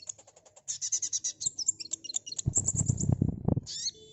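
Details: Sunbird song used as a lure to draw a fast response: a rapid series of thin, high chirps and trills, about three per second. It is followed by a burst of low thumping noise, then a few sharp high notes.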